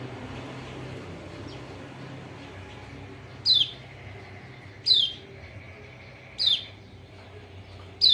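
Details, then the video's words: Kecial kuning white-eye of Lombok calling to prompt a silent bird to sing: four sharp, high, descending notes repeated every one and a half seconds after a quiet start, faint hum beneath. "PANCINGAN TERBAIK BUAT PERANSANG KECIAL KUNING MALAS BUNYI ( burung pleci lombok)"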